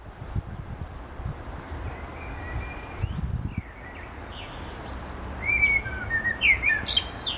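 A common blackbird sings faint, mellow fluted notes, then a late phrase ending in high, squeaky twitters, over a steady low rumble of background noise.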